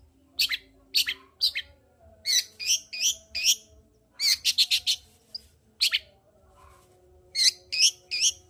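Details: Long-tailed shrike in full song, a lure to lift the arousal of a shrike slow to sing. Varied harsh chattering notes come singly and in quick clusters of three to five, broken by brief pauses.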